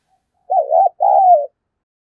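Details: Spotted dove coo aimed at prompting a captive dove to coo fast: one mellow phrase made of a rolling, wavering note and a longer smooth note that drops off at its end.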